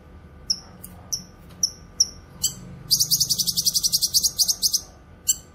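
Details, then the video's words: Cucak kinoy singing, as used for tutoring and luring. A series of thin, downward-slurred whistles about half a second apart gives way to a long, rapid rattle of high buzzy notes. "Masteran suara burung CUCAK KINOY gacor cocok untuk masteran dan pikat"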